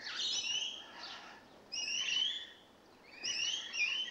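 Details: Newly arrived rainbow lorikeets calling with shrill, rasping screeches, three strong bursts with short quieter gaps.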